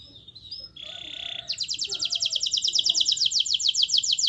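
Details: Canary singing on a master recording meant to spark song in other canaries. Short whistles and a buzzy note lead into a steady, very fast high trill of evenly repeated notes.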